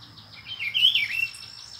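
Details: Rufous-browed peppershrike, one of a visiting pair in Brazil: one short rolling, undulating whistled phrase that swells then fades, with a constant high insect drone behind it.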